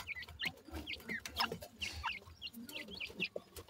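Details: Francolin chicks just after eating, refusing to let go of their food: short high peeping chirps, each rising then falling, repeated irregularly about twice a second over a low rustling background.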